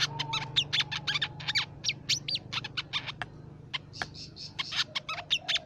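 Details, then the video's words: Crimson sunbird song used to lure songbirds, a species of shrubs, plantations and forest: busy string of piercing high chirps, tweets and brief trills in uneven clusters, with a faint low hum behind. "Suara Pikat Burung Sepah Raja"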